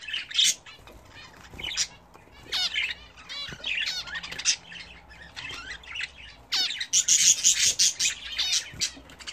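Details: Pet budgerigars, kept and bred at home, chatter while bathing: bursts of quick bent chirps and scratchy warbled notes, some louder and higher toward the end, with brief quiet gaps between flurries.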